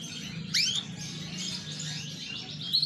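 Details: Green AFS bigsize canary singing a soft run of high chirps and warbled notes, with one sharp upward sweep near the start and a bright whistle at the end, over a steady low hum.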